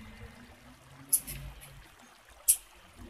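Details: A female Blue-black Grassquit gives two very high, thin chips about a second and a half apart over a faint background hiss, a female call meant to stimulate a male's song.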